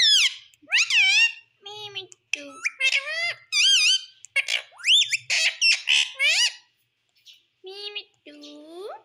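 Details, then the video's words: A pet parrot talking: a string of speech-like, wavering tonal syllables with clear rising and falling inflections in short bursts, ending with a few softer rising notes. Faint low taps sound in the background. "parrot speaking everything"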